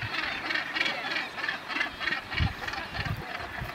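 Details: Northern gannet at its breeding colony with a chick, Bempton Cliffs RSPB, East Yorkshire, July 2012: a rhythmic run of harsh, throaty bursts repeated about three times a second over a colony murmur.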